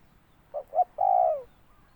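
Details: A single spotted dove calling phrase: two brief clipped notes, then a drawn-out coo that slides downward, clear over a quiet background.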